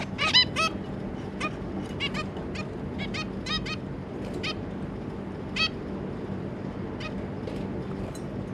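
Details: Adult zebra finches with their three juveniles on 25 July 2022 give quick clusters of nasal, tinny calls, denser at the start, then spaced-out single honks against a low steady hum.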